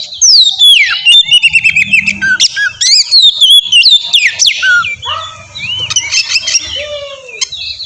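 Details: Oriental magpie-robin song used as a lure for a reply: rapid falling whistles and clicking notes, then lower, drawn-out slurred whistles and scattered sharp chirps toward the end.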